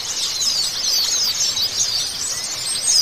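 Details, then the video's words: Short burst of white-eye chorus, used to get a stalled bird singing. Shrill overlapping chatter and fast squeaky trills run without a break. "TERAPI AMPUH PLECI BAHAN !!! TERAPI PLECI MACET !!!"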